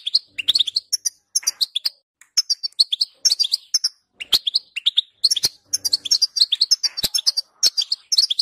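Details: European goldfinch song used to encourage another goldfinch to sing: lively, tinkling twitter of varied high notes, slurred chirps and quick trills, delivered in dense phrases with short gaps and a few sharp clicks.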